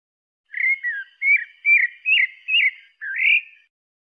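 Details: A pale-breasted thrush whistles six quick phrases in a row, mostly down-slurred notes ending with an upward-sweeping whistle, nothing else audible.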